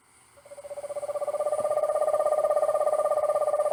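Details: Eastern Screech-Owl from Northern Virginia, which trills and whinnies rather than hoots, giving a long, steady, low-pitched trill of rapid even notes that swells in volume and holds one pitch throughout.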